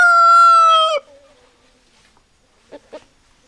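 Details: Chicken sounds: the loud steady end of a rooster's crow that cuts off sharply after one second, followed by two soft, short clucks.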